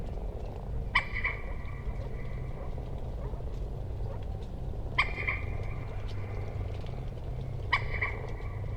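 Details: Common moorhen giving three single harsh, nasal notes, each trailing into a brief drawn-out tone, spaced several seconds apart over a steady low hum.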